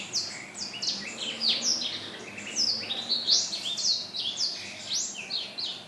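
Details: Black-throated laughingthrush in busy, vigorous song on Thursday 15 December 2016; a dense tumbling stream of sharp descending whistles and short rising slurs, hardly pausing over six seconds.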